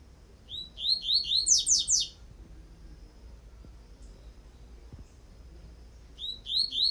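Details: Coleiro tui-tui (Double-collared Seedeater) song for training young birds: a phrase of four clear upslurred whistles followed by three fast downward buzzy sweeps, then a pause of about four seconds before the phrase starts again; quiet background.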